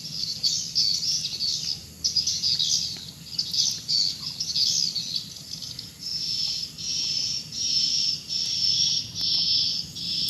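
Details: Swiftlets active in the evening before entering their bird house: a steady chorus of high, thin twittering chirps in pulsing bursts, continuous throughout, over a low background hum.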